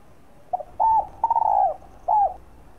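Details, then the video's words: Single phrase from a spotted dove cooing to rouse and lure other doves: a soft introductory pip, then three mellow coos, the middle one longest and gently falling, against a near-silent background. "tiếng chim cu đất gáy kích bổi"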